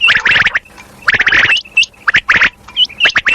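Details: Female common quail, locally batair, calling: bursts of dense, scratchy chirping around a second long, with short clear upward-hooked whistles in the gaps, roughly once per second.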